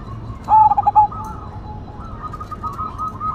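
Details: Cemani Majapahit zebra dove, a kept songbird in full voice: one loud rolling coo of several quick pulses ending in a held note, followed by softer, higher cooing from other doves in the background.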